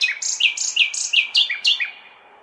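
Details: Common nightingale singing in a city on a May night, a quick run of about eight paired notes, each a high buzz followed by a descending chirp, fading away; a constant low urban drone in the background.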